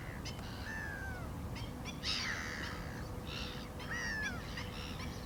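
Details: Black-winged stilts trade slurred, downward-curving yelps and harsher overlapping bursts, with several birds calling over a steady low background noise.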